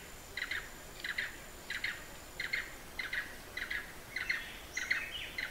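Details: Blue-eared barbet in Hala-Bala Wildlife Sanctuary, far southern Thailand: short doubled, throaty pulsed notes repeated about every 0.6 seconds in a steady series, with a faint thin high tone running through the first half.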